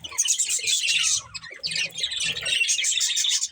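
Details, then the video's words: Budgerigar breeding pair giving busy chirping chatter, high twittering phrases with a short break midway, faint low hum beneath. "Cute Budgies Chirping Sounds | Love Birds Breeding Pair"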